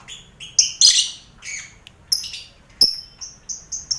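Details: Lovebirds calling in a mixed colony cage with finches and quail, recorded as mental training for birds headed to competition; a quick string of shrill chirps and one harsh burst, ending in short repeated tweets.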